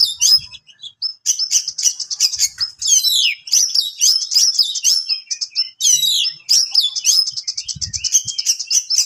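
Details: Oriental magpie-robin giving a sharp song meant to rile rival birds: varied, high whistled phrases and fast buzzy trills, with quick slurred notes and rapid stuttering series, broken by short pauses.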